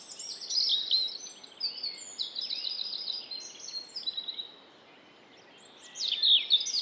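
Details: A European robin in Estonia sings a high, tumbling warble of thin, varied notes for about four seconds, pauses, then starts a new phrase over a soft background hiss.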